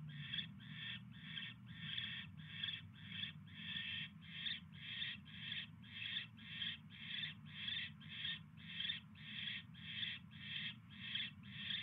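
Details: Barn owl at the nest on 22 January 2016 around 10:22 PM, a mouse arriving: about two dozen evenly paced scratchy hiss bursts, roughly two per second, over a constant low electrical hum.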